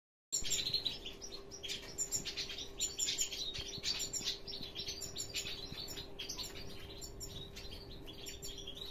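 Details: Male hooded siskin, a father bird, giving a continuous stream of thin high twittering chirps, many rapid notes overlapping, with a steady low hum throughout.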